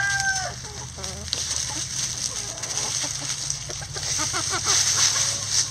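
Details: Chickens in a backyard coop scratching down a pile of leaves: soft, irregular clucks and short murmured notes, some in quick runs, over a steady hiss, low hum and leaf rustling.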